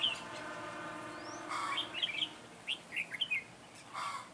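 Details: Red-whiskered bulbul decoy at a trap for wild bulbuls, 9 June 2017; a brief series of sharp whistled chirps mid-clip over a low background hum, with soft rustling.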